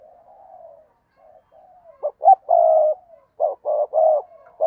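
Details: Spotted dove decoy cooing to provoke wild doves: soft, drawn-out low coos at first, then loud clipped notes and longer hollow coos in rhythmic groups.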